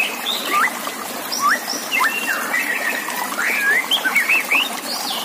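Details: White-rumped shama song arranged as a master recording for song contests: clear whistled phrases with rising and falling slurs and quick trills, heard over a steady trickle of running water.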